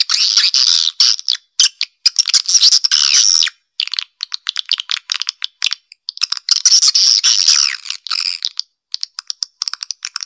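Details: Swiftlet calling sound in the Black Panther style, used to pull birds into a nest house's central area: harsh, buzzy high chattering in long bursts, broken by abrupt silences and rapid clicking chirps.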